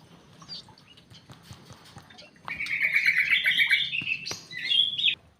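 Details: White-rumped shama settling into a new aviary after release, starting with scattered soft clicks and chips, then breaking into a rapid rolling warble followed by sharp high whistled notes.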